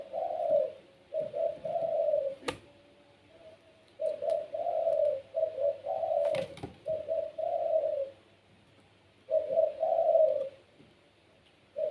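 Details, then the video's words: Caged puter pelung dove with a gacor voice cooing steadily in low mellow phrases, short notes then drawn-out rolls, phrase after phrase, with a few sharp clicks in between. "PUTER PELUNG SUARA GACOR||Bikin puter lain ikut bunyi."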